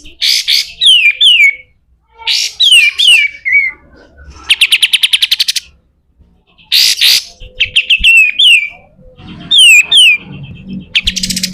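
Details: Pied triller singing the harsh 'besetan kasar' style, a recording meant as a tutor for other birds: loud downslurred whistles in pairs, harsh rattling bursts and a fast buzzy trill, separated by short pauses.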